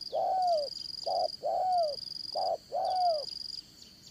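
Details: Decoy spotted dove for fight-trapping, calling in 'dán cổ' fashion with a 'Đồng Son' voice. Mellow low coos come in short-long pairs, the longer note sliding gently downward, against a faint, constant high whine.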